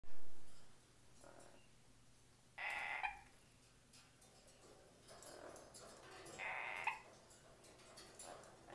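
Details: Pet yellow-crowned amazon parrot on a hot summer day, giving two short, harsh, nasal squawks about four seconds apart, with quiet room background and a low steady hum between calls.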